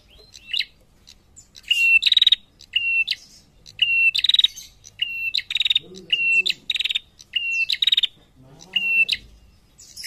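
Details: Female prinia answering males, repeating a phrase about once a second: a short high chip, then a burst of rapid buzzy pulses. Brief low murmurs are heard near the end.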